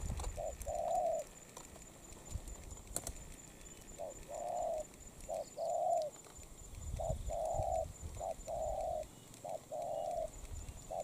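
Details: A molting spotted dove, newly caught, repeats soft low coos. Each phrase is a short lead note and a longer hoot, and six or so phrases are spaced at irregular intervals over faint background noise.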